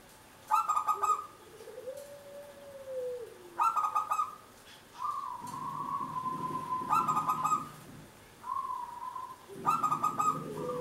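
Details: Zebra dove of local stock, used as a lure to prompt other birds to sing, gives rolling staccato coo bursts about every three seconds, with smooth steady whistles and a lower arching tone between them.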